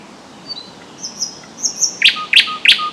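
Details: Thrush nightingale singing loudly from a bush by a lake in spring (April–May), three loud sharp clicking notes about every third of a second, each trailed by a low piped tone, after thin high whistles.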